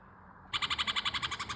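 A red-vented bulbul gives a fast, harsh chattering call of about fifteen rapid buzzy pulses in just over a second, after a brief quiet start.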